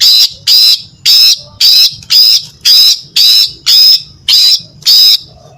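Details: Female greater green leafbird singing to lure males: nine loud, harsh buzzy notes, each about a third of a second, repeated steadily about twice per second.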